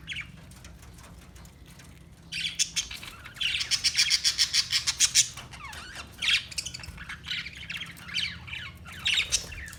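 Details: After a quiet start, a parakeet breaks into rapid, regularly pulsed high chirps, then scattered squawky notes follow, over a faint low hum.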